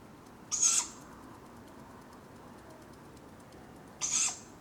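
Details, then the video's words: Tawny Owl owlet calling for food at dawn, Padarn Park woodlands, July: two short, harsh, sibilant screeches roughly 3.5 seconds apart against faint background hiss. "Sound of Tawny Owlets calling for food at dawn"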